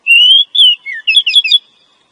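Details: Female Oriental magpie-robin calling to attract a male: a drawn-out rising whistle, a shorter falling whistle, a low downslurred note, then a tumbling run of quick twittering chirps.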